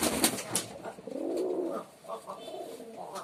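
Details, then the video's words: Male pigeon performing indoors, a few low throaty coos wavering and rolling in the middle, preceded by sharp clicking or scratching noises and followed by shorter gurgling coo notes. "Pigeon Sound Effect || Male Pigeon Super Performance || Pigeon Sound"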